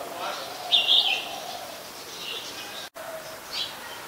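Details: Scaly-breasted munia, a very common resident, recorded in Ubon Ratchathani, Thailand, on 31 December 2020: one loud, high, thin call lasting about a third of a second, then fainter soft notes, over a steady background hiss.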